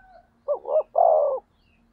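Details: A single full phrase from a decoy spotted dove meant to provoke rivals: two short throaty coos running into a long, even, hoarse coo.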